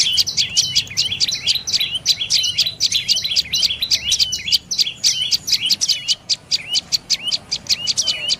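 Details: A loud, high-pitched run of rapid chirps from a dark-necked tailorbird, dense at first and then spacing out into more distinct repeated notes toward the end; the background is quiet.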